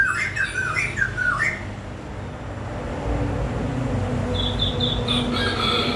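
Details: Bird singing a rapid warbled phrase of looping, slurred notes at the start, then a series of short, high, evenly spaced notes later, with a constant low rumble beneath.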